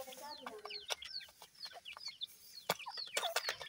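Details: Grey francolin (dakhni teetar) chicks at feeding time: many thin, high peeps sweep downward in quick overlapping succession, mixed with sharp clicks over a hissy background.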